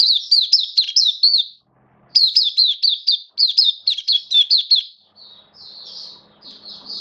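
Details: Oriental white-eye, a hobby Kitaro bird with slightly dipped form, pours out two bursts of rapid, high, looping whistled notes, then trails into softer, thinner notes with faint background noise.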